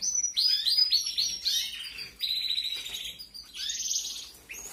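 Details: Fed canary young from 2021: an almost continuous stream of high chirps and harsh, rapid buzzing trills, loud and insistent with only brief dips.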